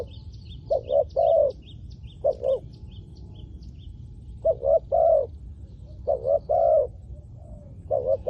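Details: Spotted dove used for luring wild doves on the ground, giving clusters of two or three hollow coos with pauses between groups, while faint thin chirps of another small bird sound high above early on.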